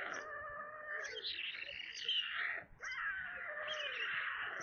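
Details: During supper at a white stork nest in Kaluga region, Russia, 22 July 2022, 17:52, recorded by webcam after a corncrake was delivered. Two long moaning wails separated by a brief gap, rich in overtones.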